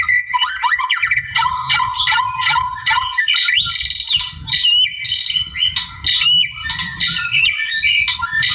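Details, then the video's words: Gacor song of a wild white-rumped shama, used to provoke rivals: dense, continuous stream of varied whistles, slurred notes and chattering trills, delivered in quick-changing phrases over a soft low background rumble. "KICAU GACOR MURAI ALAM NARIK LAWAN"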